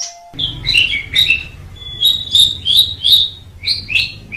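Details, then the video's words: Asian pied starling's song used for tutoring: a steady low tone gives way to a run of looping whistled phrases, roughly three per second, over a faint background hum. "MASTERAN JALAK SUREN MEMANG SANGAT BAGUS SUARA KICAUNYA"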